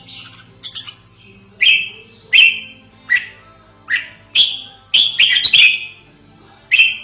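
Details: Red-whiskered bulbul lure call used as a training model: clear, slightly slurred whistled notes repeated roughly every three-quarters of a second, with a quicker cluster of three notes near the end, over a low hum.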